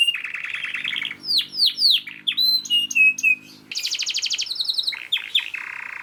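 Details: Canary in full, rapid song in the 'gacor speed rapat' style, used as a master for other canaries: low buzzy trill, cascading downward-slurred whistles, steady high rattles and chattering notes, with a faint steady hum underneath.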